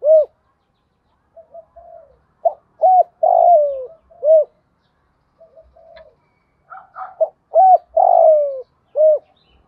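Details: Spotted dove cooing in the 'thổ đồng' style, mixing urging, cooing and calling phrases meant to excite decoy birds. Two full phrases of short rounded coos around a long descending note, separated by faint muttering.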